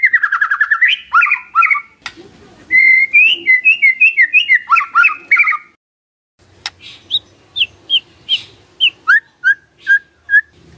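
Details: White-rumped shama song as a lure to provoke a response from a silent bird: a quick burst of whistles, then varied warbling phrases and, after a pause, spaced sharp notes followed by a run of short whistles.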